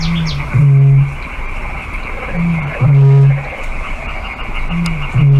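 Eurasian bittern booming: three deep, hollow booms about every two seconds, each opened by a short softer upbeat, over a steady faint hiss.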